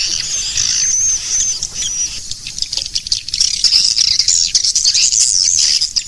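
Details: Swiftlet calling sound meant to draw swiftlets in: continuous high, shimmering twitter with thin whistled streaks, dense and unbroken throughout.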